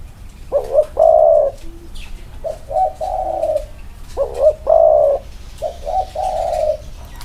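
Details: Two spotted doves placed side by side so their cooing can be compared. Each phrase is a quick hiccuping note followed by a longer, mellow, steady coo. Phrases alternate and repeat about every two seconds, with faint background noise.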